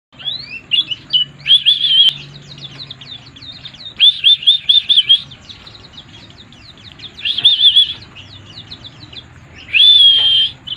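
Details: White-eye, a kept songbird, singing in bursts of fast twittering trills with wavering whistled phrases, pausing between bouts roughly every few seconds, over a low steady hum.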